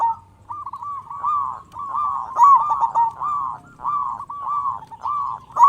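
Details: Loud local zebra dove from Indonesia, used to spark singing and breeding drive in other zebra doves. Continuous rhythmic series of mellow, rolling cooing phrases repeat roughly every half second, with faint low background noise.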